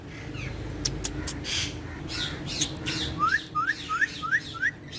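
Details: Pet green ringneck parrot on a wall: soft chatter and clicks, then a run of five rising whistled notes, evenly spaced about a third of a second apart.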